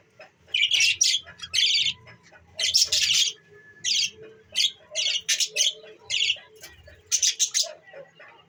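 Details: Pet budgerigars recorded on December 14, 2023, chattering in busy bursts of high, scratchy, squawking warbles. The bursts come in irregular groups, each lasting under a second, with short quiet gaps between them.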